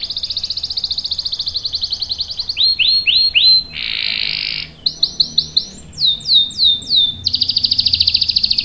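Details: Canary singing a long rolling song (ngerol) used to lure other canaries and tutor young birds: fast high trills, then a run of downslurred swooping notes, a dense buzzy burst, more slurred notes and a closing trill.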